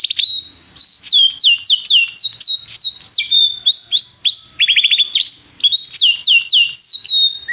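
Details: Canary song meant as a tutor recording for training a young canary: loud high tours of repeated downward-sweeping whistled syllables, switching to fast trills and short rising notes, about three notes a second.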